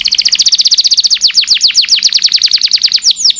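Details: Canary singing a long song for tutoring caged birds: a rapid high trill of repeated short notes, shifting to evenly spaced downward-sweeping notes at about seven per second.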